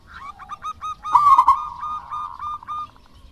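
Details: Local wild-type zebra dove, kept as a singing bird, used to prompt lazy doves to sing: a loud rolling burst followed by a string of short clipped hooting notes, with a second dove's notes overlapping.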